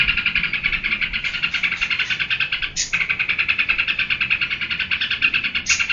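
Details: Yellow-vented bulbul in geberan style, a fast, unbroken run of harsh chattering notes about three per second, with a brief gap near the third second before the rapid buzzy stream resumes.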